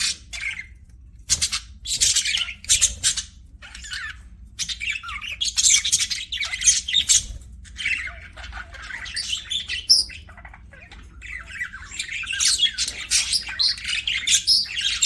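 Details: Pet budgerigar chatter: rapid scratchy chirps, warbles and brief squawks in clustered bursts with short pauses, several birds calling together throughout.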